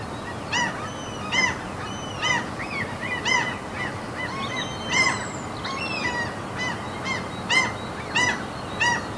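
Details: Seagulls at a fjord in the mountains of Norway uttering spaced, loud, arched, ringing cries in small groups every second or so, against a soft background hiss.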